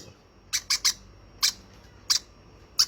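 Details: Rough, buzzy squawks from a hand-fed baby conure: a quick triple, then single and paired notes over three seconds in a small room.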